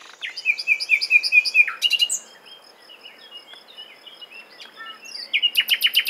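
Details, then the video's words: Common nightingale pouring out loud, varied phrases: rapid descending notes, a sharp click burst, quieter chips and twitters, then another loud pulsed series of high notes to finish. "Słowik rdzawy (Luscinia megarhynchos) śpiew - Nightingale - Die Nachtigall - Le Rossignol philomèle"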